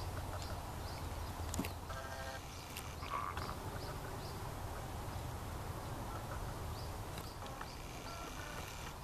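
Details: White-cheeked starling (Spodiopsar cineraceus) in a park in late May gives a few harsh, nasal calls, a short burst around two seconds in and fainter ones later, over steady low background rumble.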